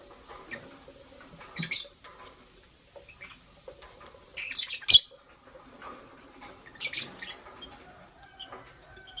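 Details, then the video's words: Morning lovebirds, green Fischer's and pastel blue: harsh high squawks and chirps come in clusters at irregular intervals, one loud piercing note midway, with soft rustling and tapping in between. "Lovebird Chirping Sounds"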